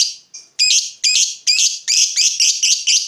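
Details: Heated fighter lovebird answering a rival with a quick series of loud, harsh, rasping high calls, about nine in three seconds, becoming faster and closer together toward the end.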